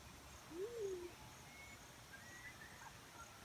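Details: Black-chinned fruit dove calling: a single low, soft hooting note that swells upward briefly and then slides slowly down, heard once over a steady background hiss of insects.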